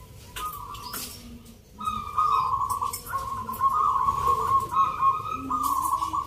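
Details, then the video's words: Zebra doves entered in a rhythm-song contest in Yogyakarta, Sunday 19 November: after a brief opening note, a sustained run of vibrating, purred coos carrying on for several seconds amid soft background talk. "Pertarungan sengit Perkutut lokal irama 😱Suaranya ngerih"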